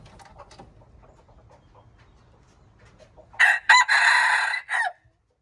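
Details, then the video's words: A junglefowl crows on March 19, 2025. Quiet faint rustling gives way to a sudden loud, raspy crow of two short opening notes, a sustained middle note and a brief closing burst. "Jungle fowl, qaib dib txuam txoov qaib qus"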